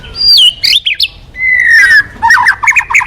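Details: Lively white-rumped shama song used to prompt other birds to sing: loud clear whistles sliding downward, a long falling whistle, then quick choppy warbled notes.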